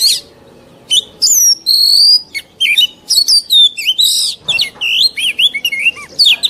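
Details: Oriental magpie-robin song from a mature wild-caught bird, used for training young birds. Loud, separate whistled notes, sweeping up and down, come in irregular bursts over a faint low background hum.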